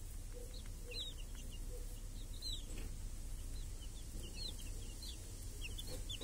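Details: Village hens and chicks grazing under a protective cage on a clear summer day, the chicks hunting flies. Thin, high, arching peeps come in scattered bursts over faint low hen clucks and a steady low rumble.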